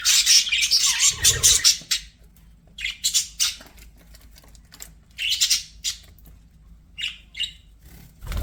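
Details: Pet budgies chattering: a loud burst of squeaky warbling opens, followed by short chirpy phrases repeated roughly every second, with brief quiet gaps and a soft thump near the start.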